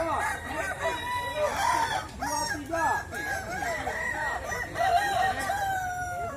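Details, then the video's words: Crowing contest of Kukuak Balenggek chickens in West Sumatra, with many roosters calling at once in rippling, looping crows and long held notes, a dense continuous chorus throughout. "Lomba Kontes Ayam Kukuak Balenggek, Suaranya Bikin Kagum"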